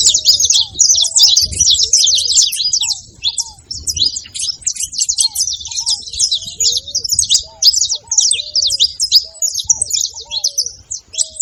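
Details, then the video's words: A noisy saffron finch pours out a long run of rapid, high-pitched chirps and trills over about eleven seconds. Faint, lower, downward-slurred whistles recur in the background. "Canário da terra fazendo barulho"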